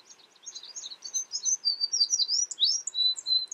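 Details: American tree sparrow (Spizelloides arborea), call.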